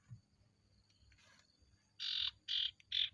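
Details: Ashy tailorbird (sirtu) lure: a faint buzzy note, then three loud, broad, rasping notes in quick succession, each about a quarter second long, used to trigger other sirtu into song.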